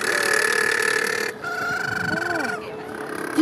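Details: Little penguin at St Kilda breakwater, Melbourne, Australia, in April, giving its song, a harsh, braying call with droning harmonics and wavering, rising-then-falling notes; a person talks in the background.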